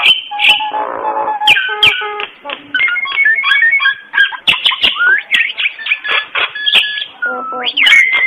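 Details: Common myna singing in the morning: a varied run of clear whistles, clicks and gurgling notes, with sharp rising and falling slurs, short bursts and scratchy fragments packed closely together.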